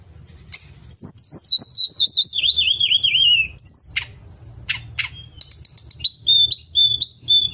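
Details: Pied bushchat singing vigorously, a recording used for training cage songbirds: rapid, high, wavering whistled trills and sweeping notes, some dropping in pitch, broken by sharp chips and short twittered phrases, with a faint low hum behind.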